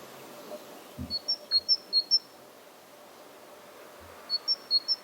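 Great tit singing two bright, high see-saw phrases, quick alternating notes like 'teacher-teacher', each run of about six notes, with a few soft low knocks beneath.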